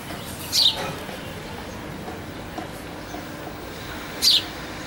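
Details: Two short, bright house sparrow chirps in the early morning, about four seconds apart, each dropping slightly in pitch, over a steady low background hiss.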